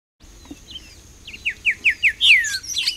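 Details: Grayish saltator song in Costa Rica: a run of five quick, down-slurred whistled notes, then a longer falling phrase and scratchy high notes, with a faint steady high tone behind.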